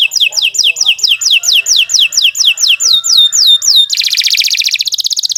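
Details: Canary in long, continuous gacor singing: a fast series of high, sweeping down-slurred whistles at about three per second, ending in a dense, buzzy rattling trill.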